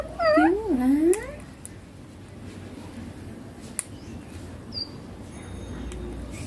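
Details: Talking green Indian ringneck parakeet, a pet that says papa and mummy; a loud, wavering, voice-like phrase in the first second, then quiet with a single high chirp and faint room noise.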